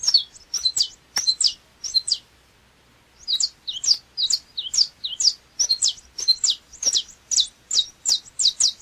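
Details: Saffron finch, known locally as canário chapinha, singing a run of sharp, high, clipped notes in quick series, pausing briefly near the middle before resuming a steady chattering sequence.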